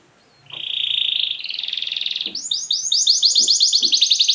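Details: Canary singing to stimulate other canaries: a sustained buzzy whistled tone for nearly two seconds, then fast bouncing trills of repeated upswept notes, with soft low thumps beneath.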